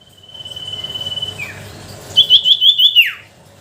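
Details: Sooty-headed bulbul lure song, used to provoke silent bulbuls into singing: a long steady high whistle, a short falling slur, then a quick run of wavering high notes ending in a sharp downward glide.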